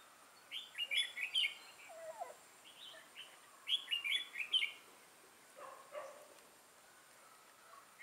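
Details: Red-whiskered bulbul kept as a trapping decoy, described with a 'mào lân' crest and deep dark bib, on 6 November 2018. Two lively bursts of rapid, bright chirping notes, each about a second long, separated by quieter scattered calls.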